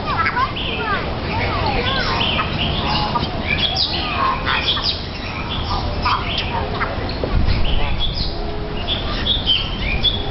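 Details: Caged golden-crested mynas in an aviary in Hong Kong Park, Hong Kong, trading warbled banter: a busy jumble of short whistled and slurred notes at varied pitches over steady crowd murmur and low background noise.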